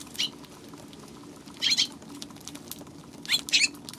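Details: Eurasian tree sparrow giving short, scratchy high chirps in small bursts of two or three, separated by pauses, over a steady low background hum.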